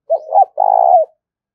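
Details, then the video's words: Short spotted dove coo for stirring and training decoy birds: a brief wavering note rising into a hooked one, then a long, even, purring low coo. "tiếng cu gáy kích bổi nhanh nổi xiêng gáy và tập mồi rất hiệu quả"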